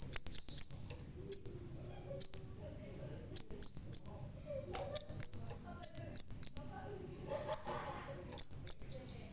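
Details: A bald red-tailed crimson sunbird singing hard: piercing high chips, alone or in fast runs of two to four, each ending in a short hissing trill, spread through the recording with faint low background rumble.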